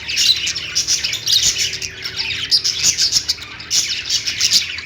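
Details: Lovebirds singing and chirping: a dense, continuous chatter of high, scratchy chirps and squawks overlapping throughout, swelling in short bursts with no clear pauses.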